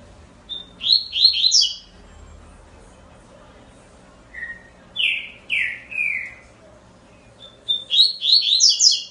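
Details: Double-collared seedeater delivering three separate song bursts. Each burst is a quick string of high, slurred, chirping notes. The middle burst opens lower with descending whistles, and quiet pauses fall between phrases.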